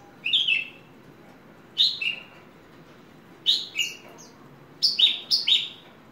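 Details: Horsfield's bush lark, a ringed hobby bird: short bright chirping phrases, each a pair of quick notes dropping in pitch, given every one to two seconds with quiet gaps between.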